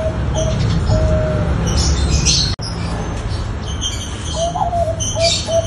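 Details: Bangkok zebra dove coo played to coax other doves into lively song: a couple of short coos and a stretched note early on, then a rising, wavering coo and two brief notes later, amid low droning hum and distant high twittering.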